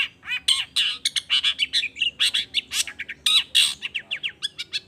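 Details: Singing long-tailed shrike, a lure recording meant to set other shrikes calling: a rapid, continuous jumble of scratchy chattering notes, sharp chips and buzzy bursts with almost no pauses.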